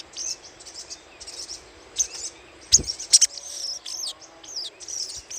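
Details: Little spiderhunter lure call: a fairly quiet, continuous stream of high chirring chips and short down-slurred notes. There are a few louder sharp clicks near the middle.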